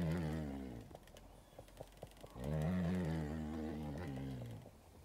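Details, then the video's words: Captive male ostrich performing a mating dance for a female near Victoria Falls, giving two low, throaty, droning rumbles, each over a second long, with crackling handling noise between them. "Ostrich mating dance"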